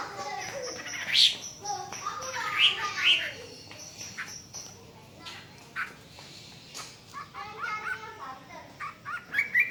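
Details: Hwamei singing in bursts of loud, rich whistled phrases with quick rising and falling twisted notes, louder flourishes separated by quieter gaps, plus sharp clicking knocks in the background.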